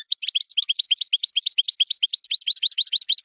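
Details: European goldfinch singing a rapid, unbroken twitter of short, high, bright chirps and tinkling trills, notes packed tightly together at a steady pace throughout, with no other sounds present.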